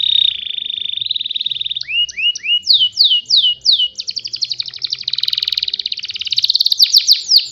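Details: Canary song played daily so young canaries learn to copy it: a long high steady trill, then rapid falling sweeps, then a fast dense rattle of repeated notes ending in sharp downslurs, with faint low hum behind.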